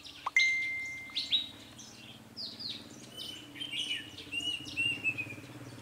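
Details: Red-whiskered bulbul kept as a decoy bird for trapping, Gia Lai, 21 February 2020: bright short chirps and downslurred whistles, one long steady whistle held for about a second, then a run of quick warbled notes over a low hum.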